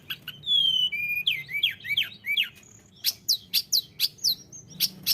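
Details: Tledekan gunung in active song: pure sustained whistles, then tumbling slurred notes and a regular series of sharp, bright chirps about twice per second.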